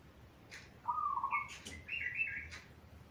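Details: Master song of a zebra dove for coaching young birds: a short lower trilled note steps up into longer, higher rolling notes, punctuated by brief sharp ticks.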